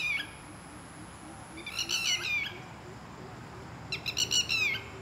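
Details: Red-wattled lapwing, one of a pair living in a garden, loud and attacking people who come too close; two bursts of sharp, high, downslurred notes, each run of several quick repeated calls, separated by a quiet pause.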